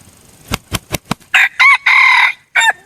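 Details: Red junglefowl decoy bird: four rapid wing-beat thumps, then a loud four-part crow. A short burst and a long harsh, level middle phrase build to an abrupt falling end, with short gaps between parts.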